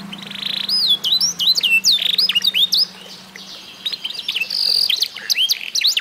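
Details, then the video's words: Song of a tutored F1SF canary aged eight months: opens with a buzzy rattle, then lively chains of high, looping whistled slurs and chips, a steady trill in the middle, and a low background hum. "REVIEW HASIL MEMASTER BURUNG KENARI F1SF UMUR 8 BULAN"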